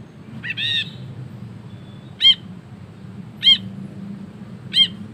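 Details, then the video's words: Ashy bulbul in energetic ngekek chatter, recorded for tutoring other birds: one longer rasping note, then three short arched notes about one second apart, over a steady low hum. "BURUNG BRINJI KELABU GACOR NGEKEK PANJANG"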